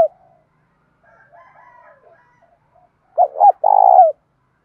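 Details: Spotted dove in the thổ voice style, coo for urging a fight and calling: after faint soft warbling, one loud phrase of two short notes and a long, slightly falling vibrato coo.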